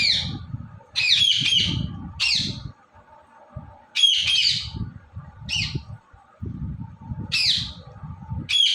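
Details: Pet Indian ringneck parrot letting out loud, harsh, high squawks in short bursts about every second or two, separated by brief quiet gaps, with low thumping background noise throughout.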